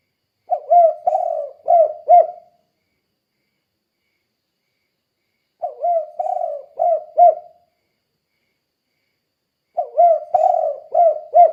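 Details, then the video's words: Spotted dove calling in the 'kuk 2' style, used as a lure to draw replies from other doves: three well-spaced phrases of four to five mellow, throaty coos, each lasting about two seconds, with long silences between. "Suara Burung Tekukur Gacor Kuk 2 Untuk Pancingan Derkuku"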